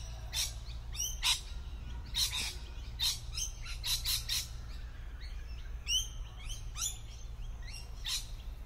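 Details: Tree-dwelling lorikeets, well camouflaged, keep up a busy chatter of rasping screeches and upward-sliding chirps, roughly one burst per second, overlapping from several birds.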